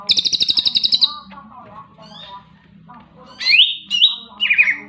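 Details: Vigorous greater green leafbird song opening with a rapid, buzzy high rattle, then quieter chattering and a few sharp, rising whistled notes near the end; a low hum runs underneath.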